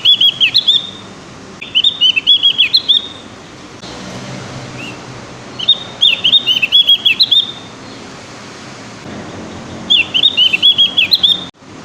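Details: Javan grey-throated white-eye still learning its song, delivering three separate bursts of fast, high twittering notes, each lasting about a second or two, with quiet gaps between.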